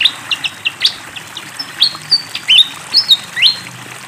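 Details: Lively song of a Malaysian pied fantail near flowing water: spaced sharp chips at first, then longer clear whistled phrases, some sliding upward and some downward, repeated over a gentle background hiss.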